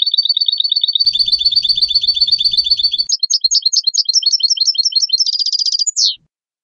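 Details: Goldfinch in full song, pouring out rapid twittering and buzzy notes that pass into quick separated chirps, a dense trill and a closing harsh note; a soft low rumble runs beneath the first half.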